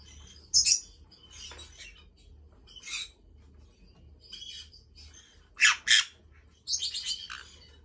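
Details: Pet white-bellied caique in Japan, bathing on its third day with a large bath, gives loud harsh broadband squawks in short bursts, some doubled, with quiet gaps between and a faint low hum underneath.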